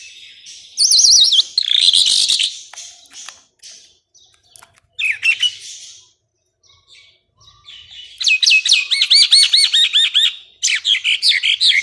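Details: Songbird master recording of rapid 'tembakan' shooting phrases, used to tutor contest birds: loud bursts of fast, high warbled trills and looping whistles, separated by quiet gaps, with a final run of rhythmic rolling notes.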